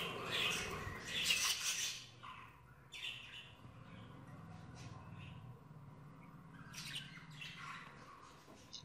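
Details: Communally bred budgerigars fight over nests, females and mates, giving harsh, scratchy squawks and rapid chattering chirps in loud bursts at the start and end, with softer chirps between over a low background hum.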